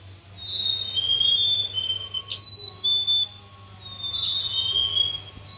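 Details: Black-capped chickadee whistling clean two-note phrases, high then lower, repeated several times, with clicks and a steady low hum underneath.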